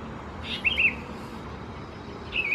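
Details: Juvenile Sooty-headed Bulbuls, Pycnonotus aurigaster thais, in Khao Yoi, Phetchaburi, Thailand, June 2020: a rasping double chirp followed by another near the end, over quiet background noise.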